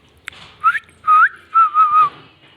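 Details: Indian ringneck parakeet giving clear whistled notes: a short rising whistle, then longer level and gently wavering tones, set in near silence with a faint click before them.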